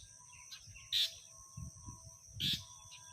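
A house sparrow gives two loud, harsh cheeps about a second and a half apart, with softer chirps between, over a steady low hum.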